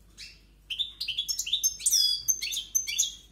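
A European goldfinch sings a rapid, liquid run of twittering notes and tinkling trills, high and bright, with quick changes in pitch and no pauses.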